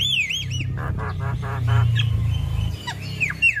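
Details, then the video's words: Female Javan myna, kept and cared for, singing busily in full-isian style: looping whistled notes rising and falling, then a run of rapid buzzy pulses and sharp downslurred whistles over a steady low hum. "Jalak Kebo gacor Full isian Biarpun Betina Tetap rajin Ngoceh"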